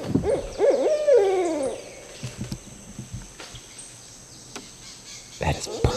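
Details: Barred Owl in Sparkleberry Swamp, Santee, on a very hot day, possibly in a territorial dispute between two owls answering a call: a burst of wavering, throaty hoots sliding into a drawn-out drop, faint rustles, then another brief hoot.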